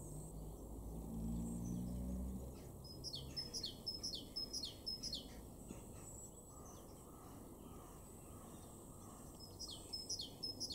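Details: Great tit song in a garden in Weener, East Frisia, far northwest Germany, March 2023: high, thin two-note phrases repeated about twice a second, over a steady low rumble of background noise.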